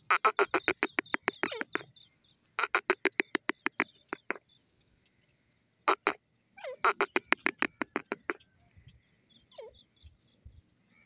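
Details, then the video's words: Grey francolin calling during the crossing season: bursts of rapid, harsh, broadband notes, about six a second, each run lasting one to two seconds and separated by short pauses. "grey francolin voice,lovely teeter awaz,teeter crossing season"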